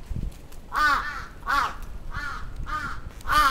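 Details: In Atsubetsu Ward, Sapporo, on 27 June 2017, an attacking crow gives loud, rasping, arched caws in quick succession, five within under four seconds.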